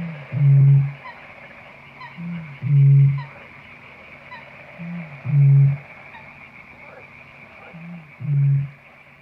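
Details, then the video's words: Eurasian bittern call used as a lure, deep low booms each preceded by a soft grunt, four booms spaced roughly two to three seconds apart over constant hiss and faint high ticking. "Chamariz , Señuelo, Abetouro , Avetoro Común , Botaurus Stellaris"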